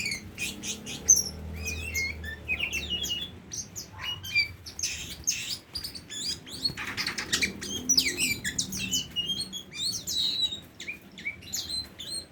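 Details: Tame Oriental magpie-robin in long, varied song: dense bursts of high twittering and slurred whistles, a short broadband rasp midway, then more fast chirping phrases continuing to the end.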